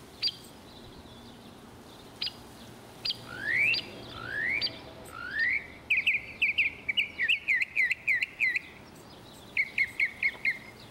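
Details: Northern mockingbird, the Texas state bird, singing in Texas: sharp single chips, then three rising slurred whistles, then a run of quick repeated notes in short bursts, with a faint background hum.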